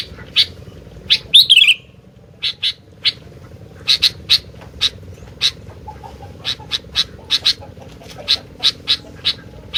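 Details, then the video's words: Sooty-headed bulbul opening with a tumbling slurred phrase, followed by a long run of crisp chip notes at irregular short intervals, with a constant low hum behind. "TAK Bisa DIAM,,,,Burung Gentilang Gacor DOOOR...!!!"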